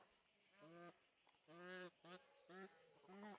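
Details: Egyptian goose in a zoo bird garden at Upie, Drôme, France: five or so harsh, nasal honks, the middle one longer, spaced about half a second apart, with a constant shrill insect buzz behind.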